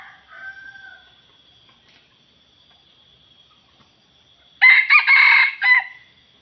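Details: Wild red junglefowl rooster crowing at a decoy rooster in a trapping arena on the edge of swampy scrub: a faint call opens, then a loud, harsh, broken crow bursts out near the end, over a steady high insect whine.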